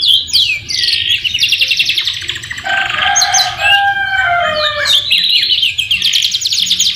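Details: Canary singing a dense, continuous song with magpie-robin fillings: high buzzy trills at the start and end, a lower warbled passage of repeated notes in the middle, constant low hum beneath.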